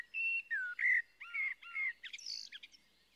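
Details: Blackbird delivering a longer phrase: several warm, fluty notes, some gliding downward, then a squeaky, hurried burst of high twittering to finish, with nothing else clearly audible.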